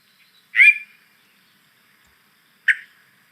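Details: A Yellow-breasted Chat, a bird with varied chuckling, laughing and meowing sounds, gives two harsh, nasal notes about two seconds apart, the first longer and slurred, the second a short clipped chuck, described as a meow at the end.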